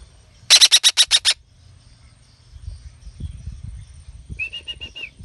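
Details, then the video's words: Pet young red-breasted parakeet: a fast run of seven rasping screeches, then a pause with faint low rumbling, then five short, clear, whistled notes in quick succession. "Burung betet anakan atip gacor"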